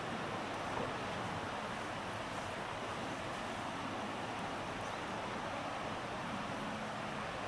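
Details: Steady roar of wind and rushing water fills the recording, with no animal voice heard.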